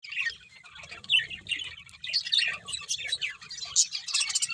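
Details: Several budgerigars chirping together in a dense chatter of short, bright, rapid notes and warbles, with quick squeaky trills overlapping throughout.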